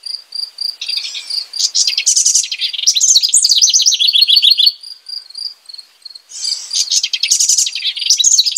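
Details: House wren pouring out a long, tumbling stream of bubbly, rattling notes, pausing, then starting again, while an even, high-pitched pulsed chirping keeps time between songs.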